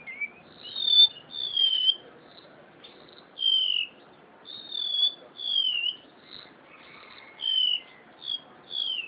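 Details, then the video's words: Captive crested honeyeater from Java singing actively: a string of clear, high whistled phrases, each a short note sliding gently downward, given in bursts roughly every second with brief pauses between. "burung engong,remetuk laut,cucak sintier,eng ong,atau srulingan"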